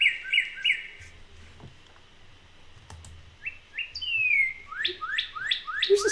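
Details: A Northern cardinal in the Cleveland area, late winter to early spring, sings one of its several songs: quick repeated chirped notes, a long sliding whistle, then sharp down-slurred notes about three per second, over a faint low hum.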